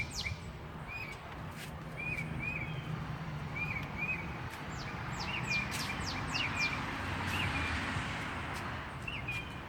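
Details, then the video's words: Outdoor birdsong: short chirps repeat every few seconds over a steady noisy background, with a few quick high whistled sweeps from more than one bird. "Escuchar el canto de los pajaros"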